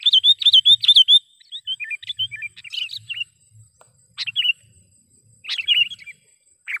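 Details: Sooty-headed bulbul calling as a trapping lure: a rapid opening series of clear, downslurred whistled notes, then softer twittering phrases and spaced bursts of chirps, above a quiet steady high tone.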